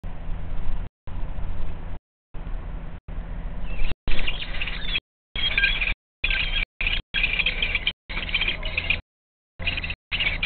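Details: Common kestrel chicks, the last two fledglings hiding on a shelf under a ceiling, as their mother brings them prey; shrill, scratchy begging calls rise repeatedly in choppy bursts, broken by abrupt gaps and low background rumble.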